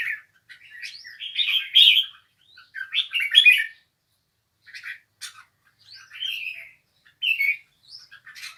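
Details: Bulbul singing: varied bursts of chirpy, warbled phrases in short clusters with brief pauses, some slurred whistled notes rising and falling, fairly irregular rhythm, quiet indoor setting.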